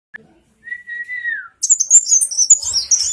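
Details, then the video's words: Sunbird (kolibri muncang) singing actively while wagging its tail: after a short, smooth falling whistle, a burst of very high, rapid, twittering notes fills the second half. "Kolibri Muncang gacor goyang" ekor"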